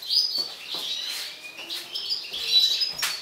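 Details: Mutant European goldfinch described as agitated, giving a short burst of high, thin twittering notes with a few clear whistled tones and brief buzzy chirps in quick succession.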